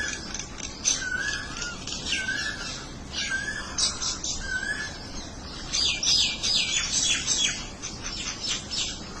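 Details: Birds calling to one another: several short, low, slurred whistles early on, followed by dense bursts of sharp high chirps and twitters from several birds, over a constant hiss of background noise.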